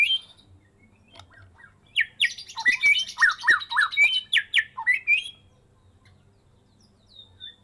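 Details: Caged Medan white-rumped shama, kept since a fledgling, singing after its first moult: a loud rapid burst of varied whistles, sharp chips and descending slurred notes packed into about three seconds, with quiet gaps before and after.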